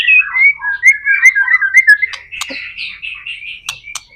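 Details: Energetic white-rumped shama song, meant to prompt other shamas to start singing: quick, varied sweet whistles and warbles at a bright pitch, broken by several sharp clicks, continuing without pause.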